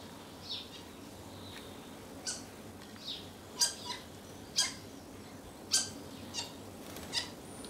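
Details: Early-morning common starlings with one bird bossing the others away from food: a series of sharp, rasping, clicky calls and brief screechy notes, irregular, about nine in under eight seconds, against faint background noise.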